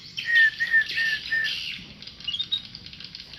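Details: Tame white-rumped shama giving four level, clear whistles in steady succession, followed by softer, thinner notes, with busy twittering of other birds behind.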